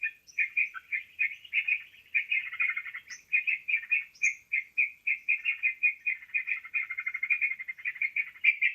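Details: Sooty-headed bulbul calls played as a trapping lure: dense, rapid chattering chirps pulse on without pause, overlapping phrases, with a few sharp high squeaks scattered through.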